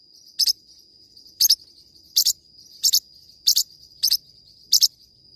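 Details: Forpus parrotlet singing: sharp, high doubled chirps spaced irregularly about once a second, with a steady thin high whine running underneath.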